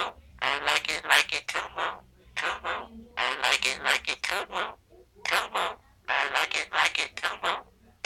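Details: A Monk parakeet (Quaker parrot) chatters a run of raspy, speech-like syllables in bursts, mimicking a Rihanna song.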